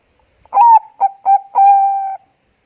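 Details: Singing Bangkok-line zebra dove, a lure recording to prompt birds to sing: one clear phrase of a rising first note, two brief notes and a drawn-out steady coo, in a quiet setting.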